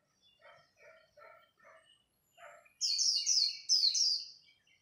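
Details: A white-eye singing a khuyên líu contest song at dawn: lower, evenly spaced chirps open, then loud, rapid, high-pitched twittering phrases follow in two quick runs.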